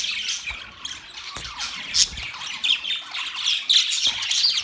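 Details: Busy budgie chirping, a fast jumble of high twittering notes and squeaky warbles, with a few louder peaks rising out of the flock's chatter.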